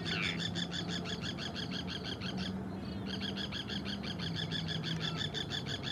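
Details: A pair of Forster's terns, fishing and calling to each other, give harsh, raspy notes in a rapid run of about three per second, with one brief pause, over a low steady hum.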